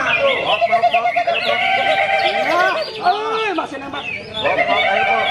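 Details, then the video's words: A Greater green leafbird, a vigorous singer (gacor), sings a rich, rapid run of varied whistles, slurred notes and chattering phrases while human voices talk over parts of it. "Cucak ijo Gacor"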